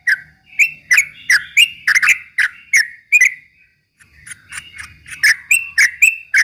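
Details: Yellow-vented bulbul (trucuk ropel) singing to provoke rivals, with rapid runs of sharp chirped notes and short slurred whistles, a brief pause midway, then another burst of quick notes.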